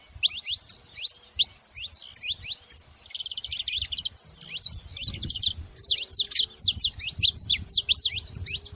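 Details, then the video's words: Saffron finch, called canário da terra, singing continuous rapid high chirps that grow louder and more regular in the second half, over faint low background noise. "Canário da terra fazendo barulho"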